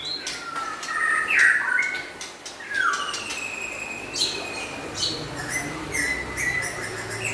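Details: White-rumped shama song from local and forest birds: short whistled slurs rising and falling, mixed with sharp clicks and high ticking notes. The phrases are broken and busy, with steady background hiss.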